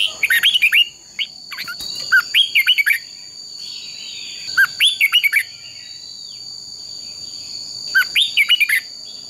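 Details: Red-whiskered bulbul fighting song used for training: short bright bursts of warbled, slurred whistles repeated in clusters about every three seconds, over a steady high electronic tone.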